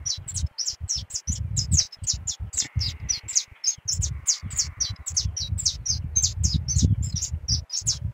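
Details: Canarinho pardo singing a lot: a fast, continuous run of sharp, high chirped notes, about three per second, over a low rumbling background.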